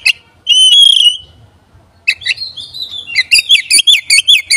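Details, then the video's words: Oriental magpie-robin provocation lure: a long clear whistle, a pause, then varied phrases leading into a fast series of repeated whistled notes. "100 persen pancingan burung Kacer ini bisa bikin konslet dan mendobrak emosi Kacer degan cepat"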